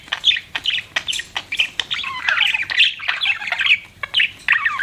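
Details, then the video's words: Pet budgerigars give short clicking chirps in quick succession that build into a tumbling warbled chatter with thin downward-slurred whistles. "BUDGIES CHIRPING SOUND"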